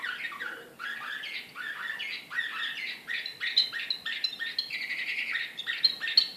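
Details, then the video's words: Agitated Srpski slavujar canary from Belgrade, 2014, pouring out a long fast sequence of downslurred chirps and bright trills, about three notes a second, with high sharp accents near the end. "CANARY SINGING SRPSKI SLAVUJAR BEOGRAD 2014 DEXX. كناري هائج"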